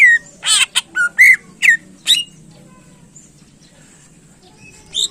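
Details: Greater green leafbird, a contest bird in full song meant to excite other contest birds: loud bursts of clear slurred whistles and harsh buzzy notes, about seven phrases in two seconds, then near silence with one final note.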